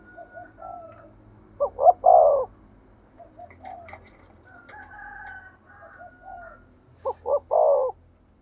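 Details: Spotted dove of the 'thổ sấm' voice type giving two phrases of deep, rough coos, each quick short notes then a longer rolling one, over a low background rumble and scattered soft sounds.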